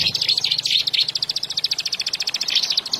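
Olive-backed sunbird singing a fast, high, thin twitter of rapid trilled notes without a break, over a faint low hum.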